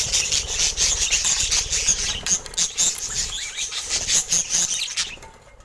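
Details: Pet budgerigars with various colour mutations keep up busy, high warbling chatter, crowded with quick squeaks and ticking clicks, easing off and fading near the end.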